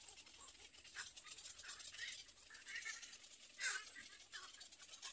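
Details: Little egret chicks in a nest waiting for their mother give harsh, raspy, hissing begging calls in irregular bursts about every second, one louder grating burst near the end, over steady hiss.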